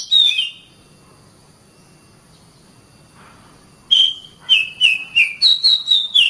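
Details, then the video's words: Training song of an Oriental magpie-robin for caged songbirds. A single falling whistle, a pause of several seconds, then a quick series of short descending whistled notes, about four per second, clean and loud. "Masteran Terbaik Kacer"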